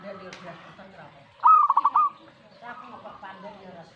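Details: Zebra dove answering a master recording with one rolling coo: a pulsed burst of about five quick beats lasting half a second, set against faint murmuring voices and soft background tones.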